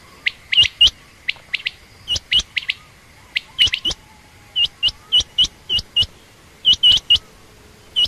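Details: Quick, uneven chatter of sharp high chirps credited to a female quail, common or rain quail, notes coming in bursts of two or three, with a faint thin whistle trailing beneath.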